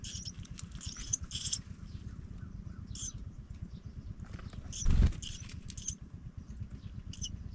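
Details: Pipit nestlings, with one sibling leaving the nest, give thin, high squeaks in short bursts every second or so over a steady low rumble, with one dull thud midway.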